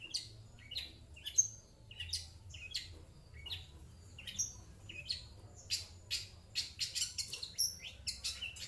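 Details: Caged long-tailed shrike answering coughing sounds, giving sharp, high harsh chirps and scratchy notes in irregular bursts, quickening toward the end, over a low background hum.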